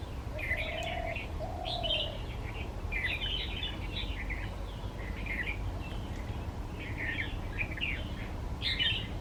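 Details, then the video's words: Red-vented bulbul perched in wildflowers, singing short cheery bubbling phrases repeated every second or so; two low, drawn-out whistles sound early on, and a soft background hum runs throughout. "[Bird Calls] Flower Plucker Red Vented Bulbul"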